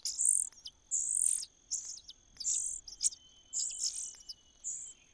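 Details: Nestling common cuckoo in a host nest, calling for food: uneven series of shrill, wheezy, high-pitched bursts, some long and some clipped short, over a faint constant whine.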